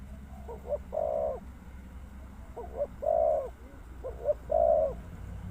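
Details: Spotted dove sounding three spaced phrases, each a couple of quick soft notes leading into a longer, fuller coo, with a low rumbling background throughout.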